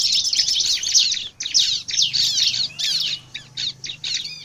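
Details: Bar-winged prinia singing persistently, used as a lure to draw other prinias: bursts of rapid, high scratchy chirps and trills in quick groups separated by brief gaps, over a faint low hum.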